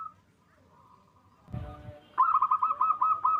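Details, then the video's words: Captive local zebra doves from a Bekasi, West Java breeder, loud song meant to stir mating drive. A faint level coo opens, a brief thump follows, then a loud fast beaded trill of clipped cooing notes. "Perkutut lokal GACOR suara besar NAIKAN BIRAHI"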